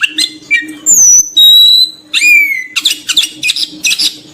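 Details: Oriental magpie-robin (kacer) lure sound for drawing birds: pure held whistles and a long falling slur, followed by a rapid string of harsh scratchy notes, with a faint steady hum behind.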